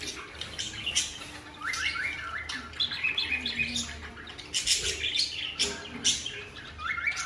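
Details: Newly bought cockatiel pair in full breeding mood giving mating calls, eggs expected soon; rapid warbling phrases with repeated rising-falling notes and sharp chirps, overlapping bird voices throughout.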